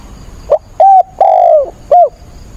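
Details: Caged decoy spotted dove in a rainstorm on 28 October, cooing hard to draw wild birds; a faint pickup note, then short coo, long downward coo and short falling coo.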